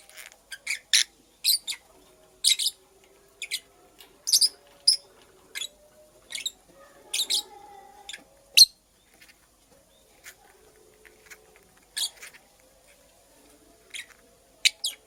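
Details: Purple lovebird, a female busy making a nest, gives sharp, very high, clipped chirps in irregular bursts about every half second to second, with faint low hums and tones beneath.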